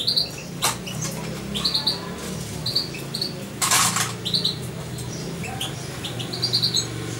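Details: Young European goldfinch around two months old, hand-reared and kept close to its keeper, repeating short high twittered chirp groups every second or so, with one burst of rustling noise and a low hum.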